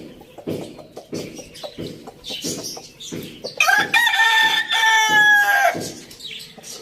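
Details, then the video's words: Village farm rooster: a run of low rhythmic clucks, then one strong, sustained crow lasting about two seconds that ends in a downward slide, with quieter clucking afterward. "Amazing rooster crowing sounds | farm village"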